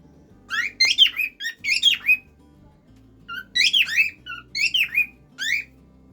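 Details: Pet cockatiel singing indoors: bursts of bright, harmonic whistled notes in two groups, each phrase rising and falling, with soft background music underneath.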